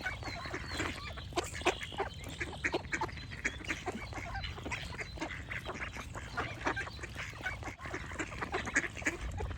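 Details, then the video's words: Ducks keep up an unbroken stream of coarse, overlapping quacks, mixed with thin high bird chirps and a low background rumble. "Duck Quack Sound Effect with Birds Chirping"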